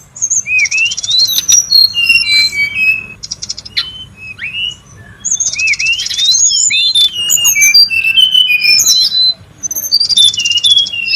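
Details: Wild brown-chested jungle flycatcher, busy lure and tutor calling: two long spells of rich, varied whistles, trills and squeaky chirps, separated by a short quieter pause, over a soft low background rumble.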